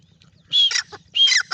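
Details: Francolin (teetar) calling: two loud, harsh, ringing phrases about half a second apart. Each phrase starts on a high whistled note and breaks into rapid buzzy harmonic notes, over quiet background.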